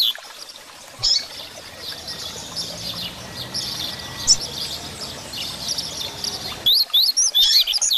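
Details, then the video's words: Caged Double-collared Seedeater singing the Grego song style, played to train young birds; high, thin twittering phrases over a steady hiss like trickling water, ending in brighter, sharper chirped notes. "Coleiro Grego Cantando Para Foguear seu Coleiro"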